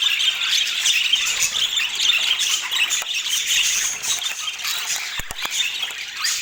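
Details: Budgerigars kept by a hobby breeder chatter nonstop, with many overlapping squeaky warbles and harsh chirps, and a few sharp clicks near the end.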